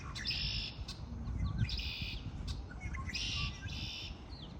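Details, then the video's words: Several birds in spring give bright, buzzy, high trills in bursts of about half a second, repeated four times with brief gaps, along with a few thin chirps and a low background rumble. "آوای آرامش بخش پرندگان در بهار"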